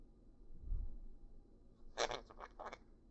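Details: A dull thump, then a quick series of dry scraping, zipper-like rasps indoors, with no clear animal voice. The rasps come in three or four rapid bursts before quiet returns.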